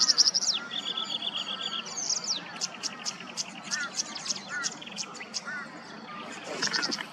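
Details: A tawny grassbird in Queensland wetland whistles a level, buzzy phrase, drops into a downward stroke, then gives spaced high ticks among softer chirping calls from surrounding birds.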